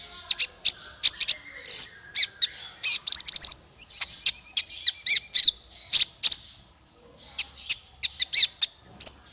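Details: Practice song for training small fighter birds: a fast, lively stream of high chirps, trills and sharp twittering notes, with a short pause near the end before the bird resumes chattering.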